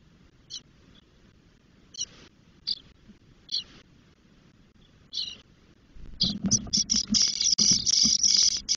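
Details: Ten-day-old spotless starling chicks in a nest in Doñana National Park, Spain, as the female brings food: scattered short hissing notes, then a sudden burst of loud, rapid, harsh begging calls with rustling.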